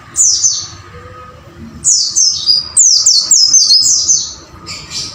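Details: Wucit-wucit song of a caged white-eye for training birds: a few high falling chirps, a pause, then a lively run of rapidly repeated, shrill downslurred notes and a final short burst.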